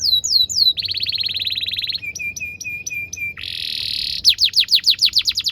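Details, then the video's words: Canary song meant to teach young canaries: falling whistled notes, a fast steady trill, evenly spaced chip notes, a harsh buzzing roll, then a quick run of sweeping whistles. "PANCINGAN KENARI GACOR DURASI PANJANG UNTUK MASTERAN KENARI PAUD BELAJAR BUNYI DAN GACOR"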